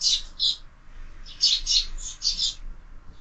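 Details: Morning sparrows at a feeder fixed to a window: a few short, bright chirps in quick pairs and clusters over a faint low background rumble.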